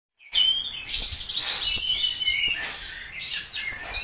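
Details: Orange-headed thrush song: a rich, varied run of high whistles, slurred rising and falling phrases and fast twittering notes, delivered continuously and loudly.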